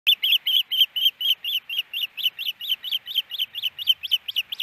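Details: Ospreys at a nest in Hellgate Canyon, Missoula, Montana, on April 12, 2019, the male hushing the female. Rapid series of high, piercing, arched whistled notes, about five per second, some twenty in a row, steady and slightly uneven.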